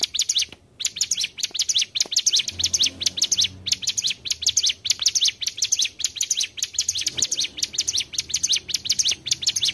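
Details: Mountain tailorbird lure song for trapping birds, a dense run of high, sharp sweeping chirps in quick bursts, with a brief silence near the start and faint low sounds underneath.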